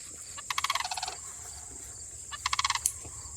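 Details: Two Sandhill Cranes trade calls back and forth, each a loud rolling, pulsed rattle lasting about half a second, heard twice over a constant high background hum.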